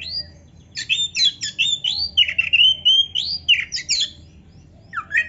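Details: Oriental magpie-robin song played to get reluctant caged birds singing: a brief whistle, then a lively series of varied whistled and buzzy notes, ending with a lone rising upslurred call.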